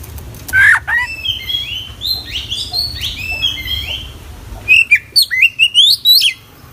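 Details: Oriental magpie-robin with a full repertoire of inserted phrases. One loud whistle leads into a run of quieter warbling slurs, then a rapid closing burst of crisp rising chirps repeated about six times.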